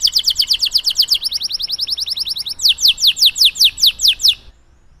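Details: Canary in full voice, a long tutor song meant to make canaries start singing: a rapid even trill of short high notes, a slightly lower faster roll, then slower sharp downward strokes before sudden silence.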